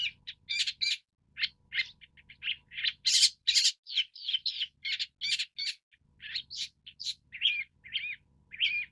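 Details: Lanius schach, the long-tailed shrike, delivering a varied chatter of scratchy rasps, clipped chirps and a few wavering whistled notes, rising to a loud harsh peak before fading into shorter calls.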